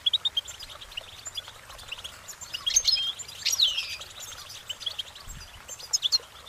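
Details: Singing goldfinch giving soft high twitters, then a louder pair of liquid, slurred whistled phrases in the middle, fading back to faint chirps over steady low hiss.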